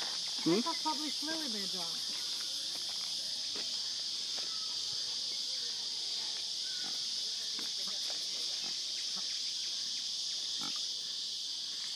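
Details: Cape Barren goose recorded 16 January 2011 gives a short run of low, grunting, pig-like honks near the start, over a steady high insect drone that fills the rest.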